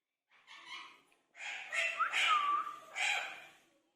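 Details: Talking Indian ringneck parakeets exchanging greetings: a short murmured syllable, then a louder burst of speech-like chatter with a bright rising-then-falling whistled slur, ending in one more voiced syllable; a person then says "Better."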